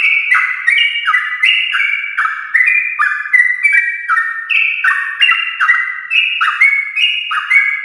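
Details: Morning 'ropel' song of a yellow-vented bulbul, used to provoke other bulbuls to sing: an unbroken stream of quick, clear whistled notes stepping up and down, delivered several per second.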